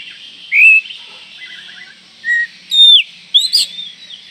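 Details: Oriental magpie-robin giving a call that reportedly provokes other magpie-robins within seconds: scattered short whistles, some sliding upward, others sharply falling, with pauses between them against a faint hiss.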